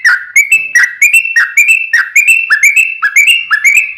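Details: Lively sooty-headed bulbul song with long rolling phrases, a lure for a kept bird. Fluty, slurred whistles repeat rapidly and evenly, with each note dipping and then rising, in an unbroken chattering stream.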